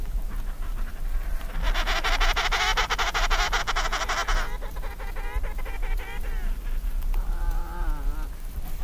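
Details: Emperor penguins in huddles on the first day of eggs hatching in the colony give distant, overlapping, warbling harmonic calls, a dense chorus then single wavering calls, over steady low wind rumble.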